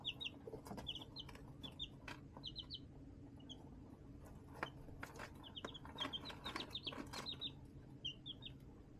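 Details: Chicks being raised in a homemade brooder box with a heat lamp, chirping in rapid clusters of high short peeps, with scratching and rustling and a constant low hum.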